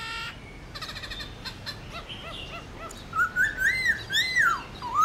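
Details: Black-throated laughingthrush singing the morning 'forest voice' competitive song used to train captive birds: faint scattered notes at first, then a run of clear, rising-and-falling whistled arches over a hissy background.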